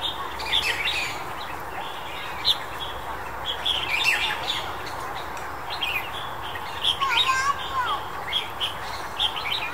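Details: In January 2021, a Red-whiskered Bulbul gives bright, chirpy whistled notes in short irregular bursts, with other birds chattering and faint voices in the background.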